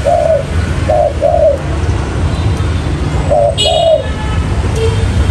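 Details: Spotted dove cooing on a lure recording, soft paired coos with short-long rhythm, one brief sharp higher chirp in a pause and low background rumble.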